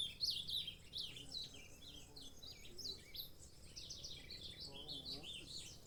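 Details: Saffron finch (canário-da-terra) singing: bursts of high, bright chirped and trilled notes, several per second, over a steady low background hum.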